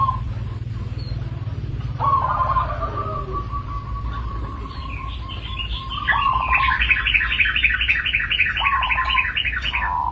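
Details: Local zebra dove giving long, steady, trilled coo phrases, while another bird adds fast, high, repeated chirping notes in the second half, all over a constant low hum.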